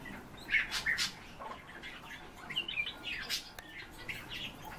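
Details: Eurasian bullfinches, kept birds filmed from about 10 cm, give short, soft whistled notes in scattered pairs, mixed with brief chirps and rustling over a faint background hiss.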